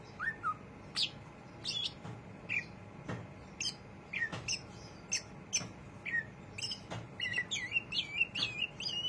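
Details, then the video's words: Greater green leafbird singing busily in its chattering ngriwik manner: sharp, separate high chips and short slurred notes spaced unevenly, becoming denser and more twittering toward the end, with occasional dry clicks. "cucak ijo rajin ngriwik"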